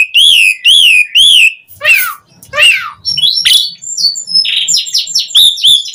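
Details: Asian pied starling singing, played to lure other starlings into song: three looping whistles, harsh falling squawks, then a jumble of chattering, scratchy notes and short whistles.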